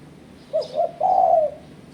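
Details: Lure call of a spotted dove for challenging rivals: three-part phrase of two short low coos and one extended coo ending in a slight fall.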